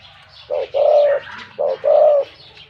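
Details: Wild-caught spotted dove kept as a decoy bird with a deep, big voice; two low mellow coo phrases, each a short note followed by a longer level hooting note, with faint chirping birds in the background.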